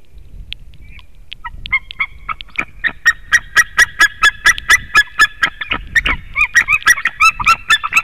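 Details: A white-tailed eagle at a nest webcam in Latvia, 2018, gives a yelping, slightly metallic series: a few scattered notes that quicken into a steady run of about two per second, over a faint low rumble.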